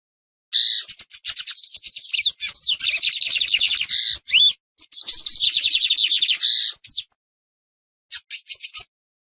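A Lined Seedeater sings a fast, buzzy-sweet jumble of high trills and rising whistled slurs for about six seconds, then adds a brief tinkling phrase.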